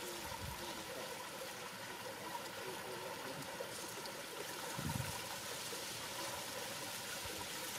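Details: Steady trickling water with a low gurgle and a brief soft thump near the end; no animal calls.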